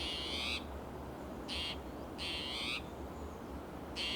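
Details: ['Spotted towhee sounding alarm in Del Monte Forest, California, one June morning, restless and agitated: three rasping, nasal mews, each a broad buzzy burst of about half a second, separated by a second of quiet; low background rumble.']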